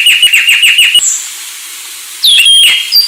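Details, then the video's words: Anis Sulawesi giving a quick series of repeated chirps, a brief pause, then a loud slurred whistle with sharp high notes. "Anis Sulawesi"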